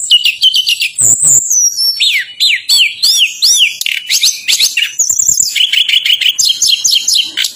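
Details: Lure song of tledekan gunung meant to coax reluctant birds into answering. Dense, rapid phrases of steeply sweeping whistles, sharp downslurred notes and quick repeated chirps run almost without pause.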